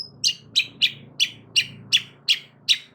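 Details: A long-tailed shrike calls loudly to prompt other shrikes to reply: eight harsh, grating notes spaced roughly three per second over a low steady background hum.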